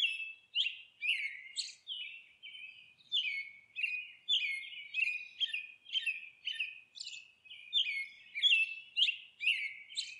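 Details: Monk parakeet at its nest giving a steady run of harsh, buzzy squawks, each note dropping slightly in pitch, about two per second with brief uneven gaps, the bright rasping tones crowding together over ten seconds.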